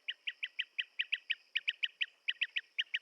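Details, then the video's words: Blue-tailed bee-eater's clear, repeated trilled chirps, about five or six a second in short bursts, evenly loud over a faint steady hiss. "Tiếng chim Trảu đuôi xanh - Blue tailed Bee eater"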